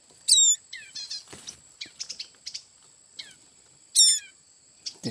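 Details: Red-headed tailorbird nestlings found in bamboo cut for a hut roof, later released; high thin chirps with bright harmonic stacks, bursts near the start and again after four seconds, scattered softer tweets between and a faint steady hiss.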